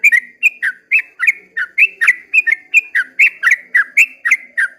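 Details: At first light a yellow-vented bulbul sings a long 'ropel' song: sweet, slurred, bubbling notes repeated rapidly and steadily, roughly three per second, in a quiet setting.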